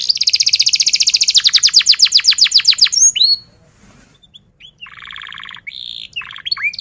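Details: Canary singing a rolling 'ngerol' phrase used to prompt young canaries: a rich rapid trill slowing into separate downslurred notes, a pause, then quieter buzzy bursts and rising whistles.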